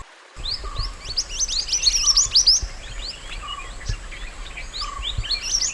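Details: Mountain white-eye singing in nature, a training master for other songbirds: fast chattering run of high slurred notes, then softer scattered chirps, with a low whistle repeating roughly every second.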